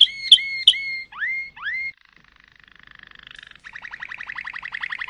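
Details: Malinois canary song: sharp clicks and rising slurred whistles, then a soft accelerating rattle building into a louder run of rhythmic upward-sweeping notes.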